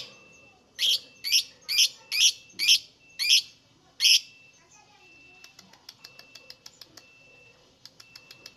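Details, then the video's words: Lovebird singing, played to draw other lovebirds into calling: seven loud, shrill, high chirps at roughly half-second intervals, followed by a quieter stretch of fast, faint ticking notes. "LOVEBIRD SINGING"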